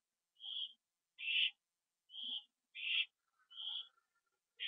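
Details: Owls back at the nest at 7:08 PM on 27 September 2011, on a live camera; alternating smooth and rough short high-pitched calls, about six in under five seconds, with a brief faint tone between.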